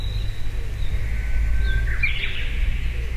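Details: Blue-and-white flycatcher singing in a forest in Tochigi Prefecture, Japan, in May 2019, recorded binaurally: a thin sustained whistle, then a brighter warbled burst near the end, over steady low rumbling background noise.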